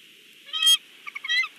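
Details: Bald eagle, the father bird, at a nest watched by a live nest cam at Big Bear: two brief harmonic squealing notes, the first strong and sharp, the second a softer broken run of short pips.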